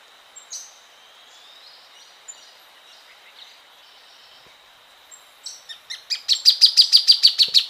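A plain thornbird gives a quickening series of about a dozen loud, sharp, high notes. Faint chirps and a steady insect-like hum come before it.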